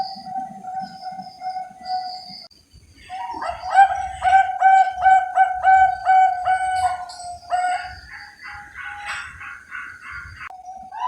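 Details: Perkutut Bangkok zebra dove, captive, Cilacap breeder in Central Java: steady low coo followed by a fast string of rhythmic, bell-like pulsed notes and a rising flourish, then the coo resumes; low rumbling underneath.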